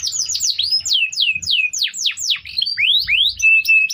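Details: Training song of a canary: quick series of falling and rising whistled slurs delivered in rapid succession, ending on a sustained flat whistle.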